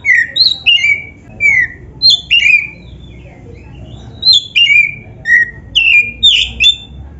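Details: Oriental magpie-robin, black-breasted form, singing a gacor song meant to train and coax other birds of its kind into song. Bright whistled phrases fall and slur downward, delivered in rapid groups with short gaps between them.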